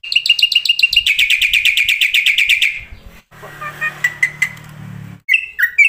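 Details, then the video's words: Black-winged starling song on a starling-lure recording: a fast rattle of repeated harsh notes lasting about two seconds, followed by quieter scattered notes over a low hum, and a final pair of whistles. "masteran jalak putih suara full isian pancingan jitu bikin semua tipe burung jalak gacor SIANG MALAM"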